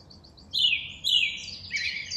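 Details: Song thrush song in two loud, slurred, descending whistled phrases, then a dense, scratchy, higher flourish; faint background noise.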